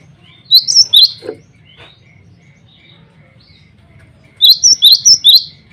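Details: Cinereous tit male singing to call rivals and summon females: two bright phrases of four to five high, clipped whistles, separated by about three seconds of quiet with faint low hum.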